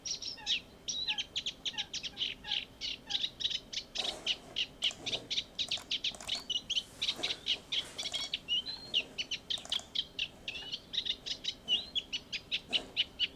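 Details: A Common Reed Warbler in the Urdaibai marsh on 31 March 2021 sings a steady, chattering run of harsh, repeated, high notes, 'cric cric crac', kept up without pause.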